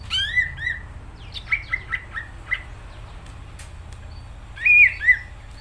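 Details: Greater green leafbird singing actively: a couple of bright slurred whistles open the run, then a loose series of short, clipped notes. After a quiet gap, a louder, rolling two-note whistled flourish ends it.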